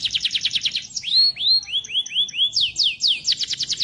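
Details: Domestic canary in full vigorous song: fast buzzy trills of repeated high notes, then a run of rising-falling whistled sweeps, then more rapid rattling trills.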